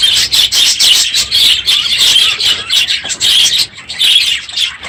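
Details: Many caged budgerigars in an aviary on a morning at the end of the breeding season, unusually loud: a dense, nonstop chorus of high chirps, warbles and squawks, overlapping with no pauses.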